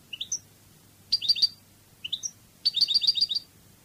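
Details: European goldfinch, Spanish Cádiz style, from a song-training CD: a pair of short rising whistled notes alternating with clipped, buzzy, tinkling rattles of five or six notes, repeated twice.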